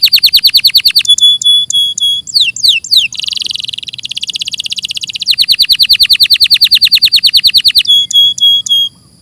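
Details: Canary singing in a clean master recording: fast trills alternate with evenly spaced whistled pips, swooping slides and a dense buzzy roll, then another long trill.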